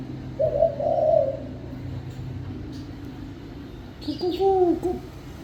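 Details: Spotted dove cooing: two soft, low hooting phrases about three seconds apart over a steady background hiss and hum.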